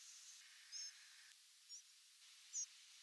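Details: Spotted Flycatcher nocturnal migration flight calls, each around 100 ms long: three very short, thin, high notes about a second apart, each with a faint doubled edge, over a steady background hiss.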